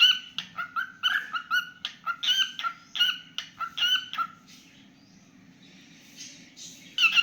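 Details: Pet cockatiel singing a fast string of sharp chirps for about four seconds, then near silence, with one last chirp at the end.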